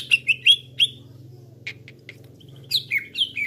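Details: Cucak ijo lure call for trapping: four sharp whistled chirps, a quiet gap with scattered clicks, then four more downslurred whistles falling in pitch, over a low hum.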